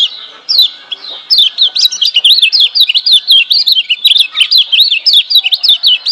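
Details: Kecial kuning, the Lemon-bellied white-eye of Lombok, delivering gebokan liar master song meant to spur lazy birds to sing: a fast, unbroken run of high twisting whistled phrases that grows denser after the first second.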